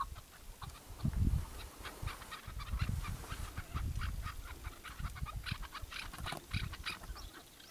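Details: A tethered decoy partridge at a hunt utters loud, rapid, rattling chuk notes in dense repeated series, over a background of low rumbling thumps.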